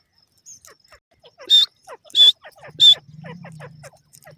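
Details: Francolin (teetar) in a forest, three loud harsh call notes about two-thirds of a second apart, surrounded by softer chirping bird notes and a low murmur near the end.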